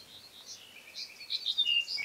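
Black-headed Bunting singing a brief run of high chirping notes that grows louder and slightly falls toward the end, over faint background hiss.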